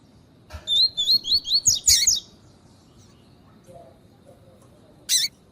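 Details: Female lined seedeater calling, used to warm up a caged male for song training: a quick run of six clear whistled notes, each sliding up and down, then a harsh burst and a brief note near the end over low background hiss.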